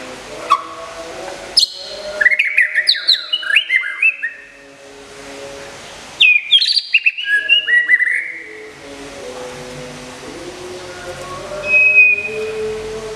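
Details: White-rumped shama, a caged champion contest songbird from Kebumen, Indonesia, kept during moult care; two bursts of rich, varied whistled phrases with rapid slurred and chattering notes, separated by a quiet pause, over faint steady low tones.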